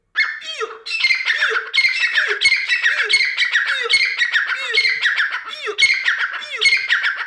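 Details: Grey francolin in full voice, a long run of strident rasping phrases, each with a descending low swoop, repeated without break for several seconds.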